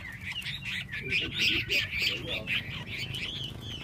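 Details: Hwamei pouring out a fast, continuous series of bright, repeated warbling notes, several per second, over a constant low background hum.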